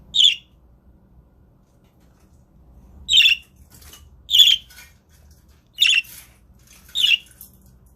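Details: Pet father budgerigar guarding the eggs gives harsh, chirruping squawks, five short bursts spread unevenly over eight seconds, with quiet gaps in a small indoor room.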